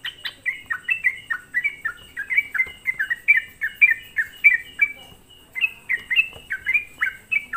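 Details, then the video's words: Sooty-headed bulbul lure song, used to provoke other bulbuls: rapid chattering run of short, bright, downslurred notes, about two per second, steady and unbroken throughout, with a faint constant high hiss behind. "semua burung trucuk di buat emosi dengan suara pancingan trucukan gacor ini"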